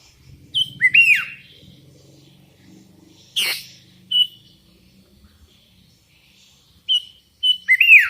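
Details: Sooty-headed bulbul calling out rivals: bright whistled phrases that dip then rise and fall, given in short bursts with long pauses between, plus one sharp click midway.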